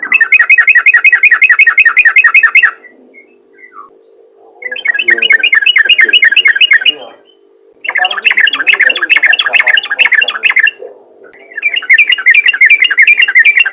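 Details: Yellow-vented bulbul in ropel ngalas-style calling to summon other bulbuls: four dense bursts of fast, rattling chirps, each a few seconds long, separated by quieter gaps.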